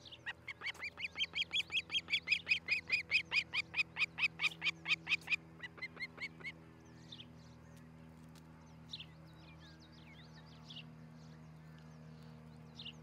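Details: Osprey at a nest near Charlo, Montana, filmed by a nest camera on 13 July 2018 around 6 a.m.: a rapid run of about twenty sharp whistled chirps over five seconds, then scattered faint calls over a steady low hum.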